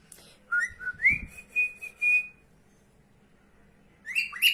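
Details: Pet female cockatiel indoors, following her owner around the house: clear whistled notes climbing into a long, steady held whistle with soft low thumps beneath, a pause, then a burst of sharp, harmonic-rich chirps.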